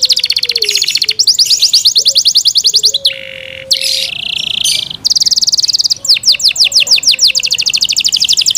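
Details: Yorkshire canary, a kept bird, singing loudly and without pause: rapid rolling trills of high repeated notes, broken by a harsh buzzy held phrase in the middle, then more fast, chattering trills, over a faint low steady tone.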